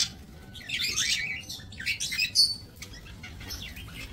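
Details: Budgerigars in a small breeding aviary, 28 November 2024; dense scratchy chatter and quick high chirps crowd the first half-second bursts, then thin into scattered tweets over faint low hum.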